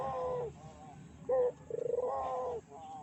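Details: Barbary dove calling as a lure for other doves: a soft falling coo, a short sharp note, then a rapid stuttering roll running into a long, level-then-falling coo.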